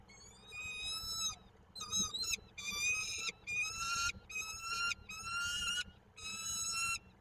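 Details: Peregrine falcon at a nest site in Koszalin, 15 March 2022, giving a steady run of loud, harsh, drawn-out wailing notes. Each lasts roughly half a second and repeats about once per second, over a faint low hum.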